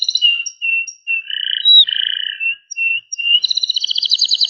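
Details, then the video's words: Panda-coloured Loper canary giving short, spaced whistled notes and held warbling tones, broken by brief pauses, before launching into a fast high trill at the end. "KENARI PANDA GACOR Cengkok Rapat"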